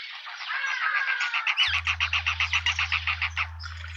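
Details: Suburban garden in Pretoria, South Africa, where a juvenile hornbill is with its parents; an even, rhythmic series of clucking notes, nearly four per second, with a low hum entering midway.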